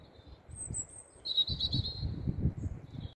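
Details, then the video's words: European robin singing after dark beneath street lights, Staple Hill, Bristol, Monday 13 April 2020: a brief faint high note, then a clear wavering, high-pitched warbled phrase, with low background rumble throughout. "Robins singing at night"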